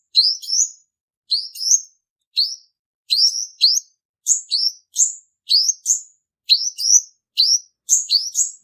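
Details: {'caption': 'A steady run of bright, upslurred chips from a male purple-throated sunbird, recorded as a trapping lure song; notes are often doubled, sometimes with a higher variant, continuing for the whole stretch.'}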